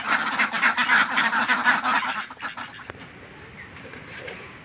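Ducks quacking in a fast, harsh, nasal run of about four calls a second, fading after two seconds into quieter background noise.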